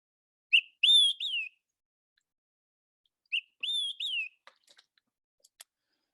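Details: Olive-sided Flycatcher, a first-of-season spring migrant among tall Douglas firs at the base of a ridge, Point Reyes, sings its 'quick-three-beers' twice, about three seconds apart: a short pip, then two loud slurred whistles, followed by faint clicks.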